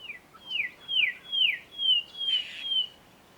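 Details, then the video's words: Rufous Whistler song at Gluepot Reserve, South Australia: six or seven clear downward-sliding whistled notes about twice a second, with a brief louder note near the end; songs vary by region. "Here's the Rufous Whistler. Their songs vary from one region to another."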